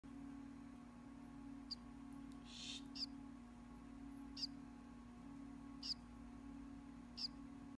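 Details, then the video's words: Barn owl chick about to hatch, internally pipping inside its egg, audible from outside the shell: short, high, thin chirps about every second and a half, over a steady low machine hum and one brief rustle. "Barn owl egg pipping"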